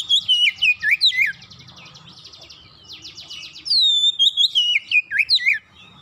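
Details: Fast 'gacor' song of the Oriental magpie-robin (kacer), used to lure a silent bird into singing: choppy descending whistles, a soft rattling buzz with a second buzzy burst, then another run of bright falling whistled notes.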